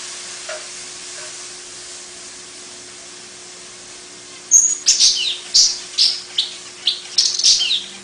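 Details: Long-tailed paradise whydah song: a quiet opening, then a burst of high whistle followed by fast, scratchy chattering notes roughly three per second, over steady hiss and a faint hum.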